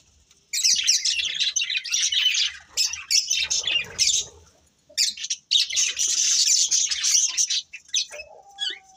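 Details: Budgerigar breeding pair in bursts of harsh, scratchy squawking chatter mixed with quick chirps, broken by short silences, ending with a few thin, clearer notes.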